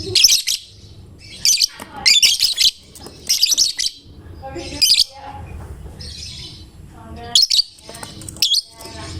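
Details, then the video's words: Chatty fighter-type lovebird whose song draws other lovebirds into singing: clustered, shrill, buzzy chirps come in quick groups, then scattered thinner twitters, over a faint low rumble. "Lovebird GACOR Fighternya Memancing LB manapun Ikut Bunyi"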